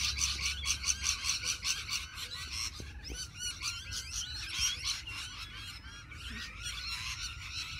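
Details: Rainbow lorikeet flock crowding a tree, recorded on a phone: a dense, continuous chorus of shrill, overlapping chirps and screeches over a steady low hum.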